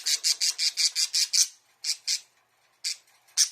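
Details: Pet budgerigar inside a small bird house, calling out as if wanting to be played with; a quick series of eight grating squawks, then a few spaced single squawks after a short gap.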